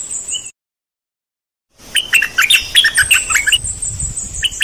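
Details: One of three decoy bulbuls pouring out a quick chattering series of chirped and warbled notes after a short silence, with a thin high tone underneath.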